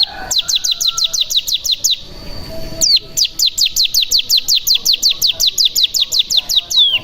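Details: Cigun decoy song for prompting other birds to sing: long rapid trains of rising whistled notes, nearly three per second, split by a steady high tone and a downslurred note, with faint background hiss.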